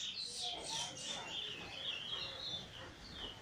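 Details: Recently molted Eurasian bullfinch singing weet teeture and flute roll, recorded 1 January 2022: a few bright high chirps lead into a fluid, warbling roll of whistled notes that wavers steadily in pitch.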